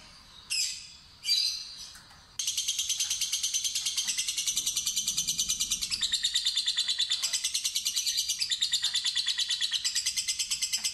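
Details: Two short sharp squawks from a fighter lovebird, then a pause, followed by a long ngekek ngetik trill of rapid, grating pulses lasting over eight seconds with slight shifts in pitch.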